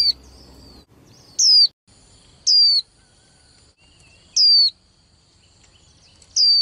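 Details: Caged young female white-eye, kept to rouse males into singing contests, gives spaced, high, falling whistles, four full notes in about six seconds, over a faint steady high tone.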